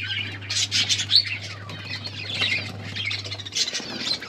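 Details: Breeding budgerigars in a colony give harsh squawks and quick chirps layered over one another, with a low hum that stops near the end.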